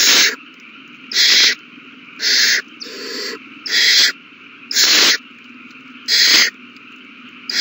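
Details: Owl young eating well on March 27, 2020 while they beg: a run of seven loud, breathy screeches nearly every second, with one softer, lower rasp in between and a low background hum.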